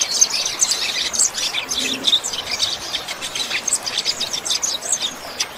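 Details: Double-collared seedeater, 'chuva' song style for training captive birds: continuous high, scratchy twittering with quick clicking notes throughout, delivered fast and unbroken.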